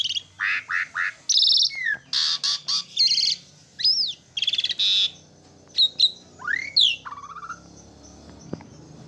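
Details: Asian pied starling song made of rhythmic chattering notes, loud buzzy squawks, and rising and falling whistles, uttered in uneven bursts with brief gaps.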